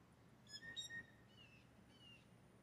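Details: Blue jays, several males said to compete for one female with whistles and chatter as a mating display: a few short clear whistles, some with harmonics, then two slurred falling whistles, over low background rumble.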